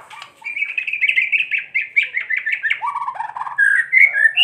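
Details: White-rumped shama singing kretekan, a song used to provoke other shamas into singing: a fast run of repeated clipped chattering notes, then lower throaty notes and a few sharp rising whistles at the end.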